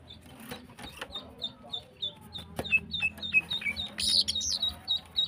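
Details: Female greater green leafbird singing energetically in the morning: a run of short, high, clipped whistled notes repeated about three times a second, building toward a louder, denser burst of sharp chirps near the end over faint low background rumble.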